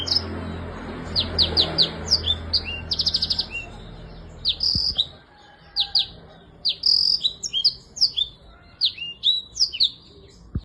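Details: Black-throated canary in lively, full song: rapid series of high, sharp, sweeping notes mixed with fast buzzy trills, phrases shifting constantly, with a low steady hum beneath the opening seconds.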